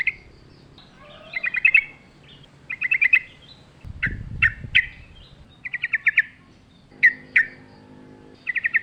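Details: Sooty-headed bulbul singing lustily in the wild among natural sounds, short clusters of quick chirps repeated every second or so, with a low thump and faint background hum.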